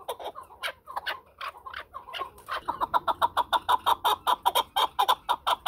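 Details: Chukar partridge calling with uneven chuckling notes that settle into a fast, regular series of sharp, punchy clucks.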